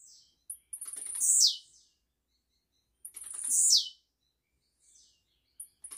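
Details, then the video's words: Blue-black grassquit song recorded live for tutoring young birds: two full high-pitched phrases, each clicking ticks building into a loud downward buzz, roughly two and a half seconds apart, with softer notes at the edges. "TIZIU GRAVADO AO VIVO PRA ENCARTE DE FILHOTES, CANTORIA LINDA"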